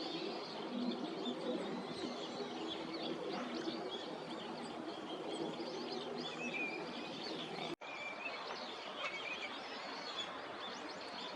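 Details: Wintering Eurasian teal giving brief clear whistles, several in the second half, during courtship display for pair formation at a Tokyo park in January, over constant rushing ambient noise.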